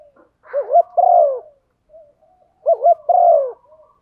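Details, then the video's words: Spotted dove hen calling to stimulate a male: two phrases, each a pair of quick dipping notes then a drawn-out falling coo, about two seconds apart. "Tiếng chim cu gáy MÁI kích trống, chim cu mái thúc gù"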